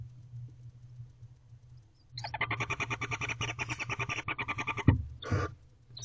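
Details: Hungry barn owlets crowd around their mother in a nest box before dawn at 4:34 am on 20 April 2023. Rapid rasping, hissing bursts repeat for about three seconds, then stop, followed by a thump and one more short hiss.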